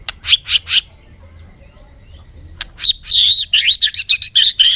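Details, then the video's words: Bird giving three loud buzzy chirps, a pause, then a fast run of buzzy, warbling chirps repeated several times a second. "suab noog quaj zoo heev"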